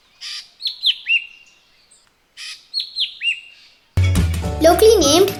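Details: Jerdon's Leafbird gives two bursts of three sharp, downslurred whistled notes, each opened by a harsh rasp; music and speech cut in at the end.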